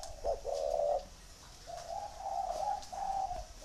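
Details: Spotted dove in "thổ" cooing style. A short note leads into a steady low coo, and after a brief pause a run of three connected, slightly wavering coos follows.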